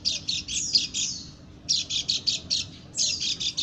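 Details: Female white-eye from Lombok calling in an unusual way: three short volleys of rapid, high, slightly buzzy chirps separated by brief silences, against quiet background hum.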